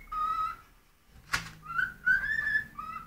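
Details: Cockatiel kept as a pet, singing because it is hungry: clear whistled notes with a rising slur, a sharp click in the middle, then more slurred whistles over a low indoor hum.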